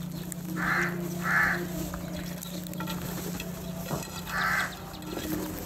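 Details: Crows feeding together and calling for food while fighting over it: two harsh caws in quick succession, a pause, then a third caw, over a steady low hum and scattered clicks.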